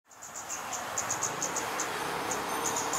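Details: Male Scarlet-backed Flowerpecker in Singapore, perched openly while calling: a rapid series of metallic staccato clicks, very high and evenly spaced, repeated several times per second with brief pauses, over a steady background hiss.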